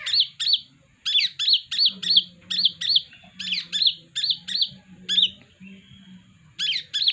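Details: Home-kept sunbird singing as a lure: fast runs of sharp, high chirped notes with a rising-then-falling shape, about three per second, briefly pausing before resuming; low steady hum underneath.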